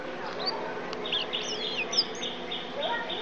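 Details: Caged yellow-fronted canary, recently through its moult and tutored with blackthroat song. It sings high whistled notes and slurred, rising phrases over a steady background hum with some noise.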